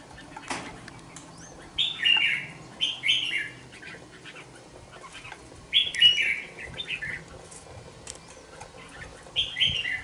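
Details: Two-month-old red-whiskered bulbul kept in a cage sings brief chirpy warbled phrases of three or four quick notes, repeated every three to four seconds, with a soft click and faint room noise between.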